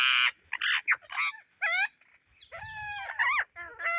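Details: Indian ringneck parrots searching for seeds: loud, harsh screeches in short bursts, some rising and falling in pitch, with brief gaps between calls and a faint low rumble in the background.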